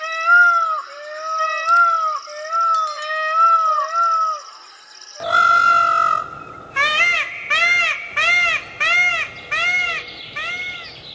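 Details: Indian peafowl (Pavo cristatus) peacock gives loud, nasal, meow-like wails, first a steady string of arched notes, then one long cry and a rapid run of short honks about twice a second.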